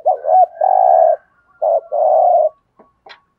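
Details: Spotted dove used as a lure to make wild doves coo back: a wavering lead-in then a long steady coo, repeated twice, ending with a couple of faint clicks.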